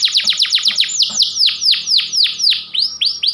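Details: Panda canary delivering a run of loud, steeply falling whistled notes about four per second, slowing into longer downslurs and ending with short upswept notes.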